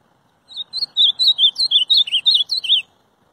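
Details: Ultramarine grosbeak (azulão) song: a quick phrase of about a dozen clear whistled notes, each sliding up and down, delivered steadily over two seconds, ending on a lower twisting note; clean and quiet background.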